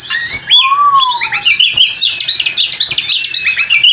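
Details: Oriental magpie-robin in continuous rolling song, meant to prompt other magpie-robins to answer: dense, fast run of high chirps and trills with one long, low, slurred whistle that rises then falls early on.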